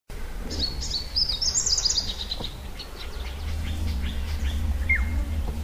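White-bellied Sunbird giving a fast, high, thin twittering song of tinkling notes, with fainter chirps following and a steady low rumble beneath.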